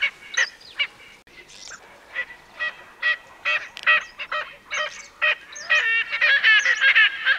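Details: Erckel's francolin giving loud, harsh, grating cackles in separate bursts that quicken into a rapid, continuous chattering series over the last two seconds.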